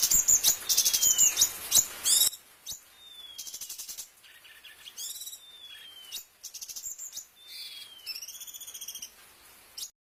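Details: Bulbul (cucak cungkok) master song with filler phrases for tutoring other birds: a loud chattering burst, then quieter varied phrases of thin gliding whistles, buzzy trills and rising slurred notes separated by brief pauses.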